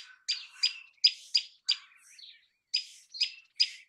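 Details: Common tailorbird singing: a series of sharp, high chirped notes, loud and clear, spaced roughly three per second with a short pause before the final three, no other sounds.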